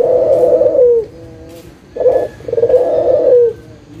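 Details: Local Barbary dove lure: a drawn-out burring coo sliding downward, then a short low note and a second long purred coo ending in the same falling glide.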